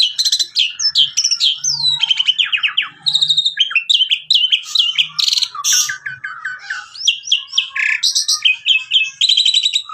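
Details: Javan pied starling of the local Javan type in full song: a dense, nonstop medley of sharp chips, rattling trills, downslurred whistles and harsh buzzy notes, fast and varied throughout, with faint low murmuring underneath.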